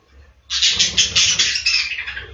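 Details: After a brief near-silence, budgerigars in a breeding room burst into a rapid run of rasping, pulsed chirps that fade gradually toward the end.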